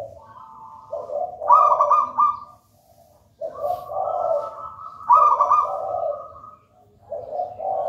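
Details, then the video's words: Zebra dove of local wild stock, from a nest in a raja banana plant, singing energetically in the manggung style. Its resonant coos pair a rolling higher trill with lower purring notes. Two full phrases are heard, with near silence between them. "Perkutut manggung gacor"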